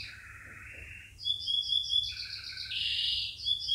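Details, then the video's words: Canary singing to train chicks, somewhat distant: a lower rolling trill, then higher whistled tones and a dense buzzy burst, with faint background hiss. "Canary Singing - Most Spectacular HD Video Training For Chicks"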